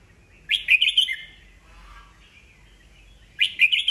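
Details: Old wild-caught red-whiskered bulbul singing to excite rival birds into competing; a loud rapid warbled phrase, a quiet pause with faint notes, then another burst begins.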